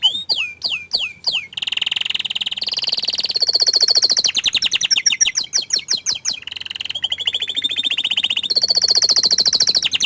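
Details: Canary singing, opening with a few sharp downward-swept notes, then long fast trills that switch between steady rolling tours at different pitches, some buzzy, some clear and high.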